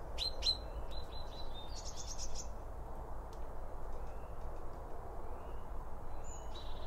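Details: Blue tits with other birds at a garden bird feeder: a burst of high, thin, buzzy chattering notes in the first two and a half seconds, then faint scattered high whistles over a constant low rumble.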